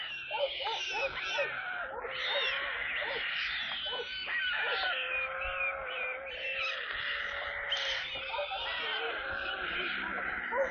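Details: Several stork chicks in a nest in Kaluga Region, Russia, being given water on 28 July, keep up a continuous chorus of wheezy, wavering mews that rise and fall and overlap throughout.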